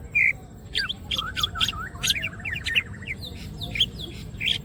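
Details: Greater green leafbird singing vigorously with wings open: a varied, tumbling phrase of high chirps, downward sweeps and twittering notes, starting with a loud buzzy note, over a low rumbling background.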